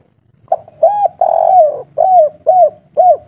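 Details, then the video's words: Local spotted dove in 'kuk 3' song style with a mature voice: a faint introductory note, a short coo, one long falling coo, then three evenly spaced short arched coos, mellow and low-pitched, in a quiet setting. "Derkuku kuk 3 lokal gacor ngamuk suara tua"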